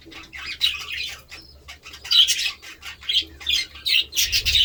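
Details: Budgerigar sounds: scattered short, harsh squawks and sharp chirps in uneven bursts with quiet gaps, ending in a louder cluster, over a faint low rumble.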